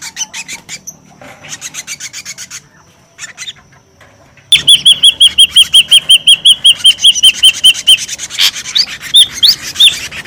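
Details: Noisy ashy drongo lure call: soft, rapid ticking at first, then a loud, fast, regular series of clear whistled notes, several per second, giving way to a mix of whistles and harsher notes.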